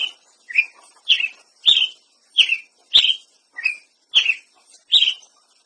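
Ruby-crowned Tanager giving a steady series of sharp, slightly buzzy chirps, about eight notes at roughly half-second intervals, with a quiet background.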